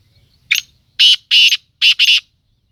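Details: Black francolin from Sindh, Pakistan, giving its harsh rasping call: one short scratchy note, then two longer grating notes, a brief pause, and two more close together, loud and clear over near silence.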